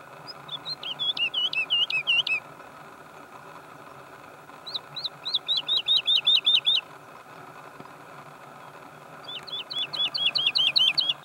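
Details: Woodlark singing in Spain's Sierra Nevada, Granada: three phrases of rapid, liquid repeated notes, each a quick falling slur, the phrases separated by pauses of about two seconds, with a constant low hum behind.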